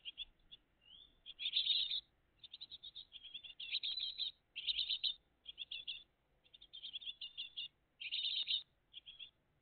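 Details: Morning at a great tit family's nest in June 2023: dense, loud runs of rasping buzzy notes in quick succession, broken by short pauses, with one brief rising whistle near the start.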